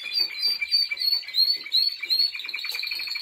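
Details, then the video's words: Timbrado Español canary in training: a short burst of quick chopped notes, about three per second, over a steady high ringing tone, sounding metallic and slightly buzzy. "Timbrado Espanol Original . Im Training."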